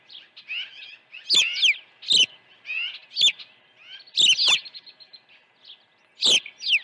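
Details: Osprey calling at the nest during early feeding on the morning of 1 June 2019: clustered high downslurred whistles and squeaky chirps in loose groups over seven seconds, with soft lower chirping between bursts.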